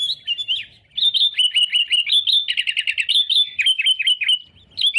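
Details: Sooty-headed bulbul (Pycnonotus aurigaster), song: challenging rivals; used as a lure call.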